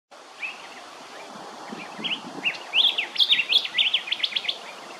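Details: Male rufous whistler at Hervey Bay, Queensland: faint opening notes build into a rapid series of sharp, whip-like whistled notes, about three per second, ending in quick repeated chips over a steady background hiss.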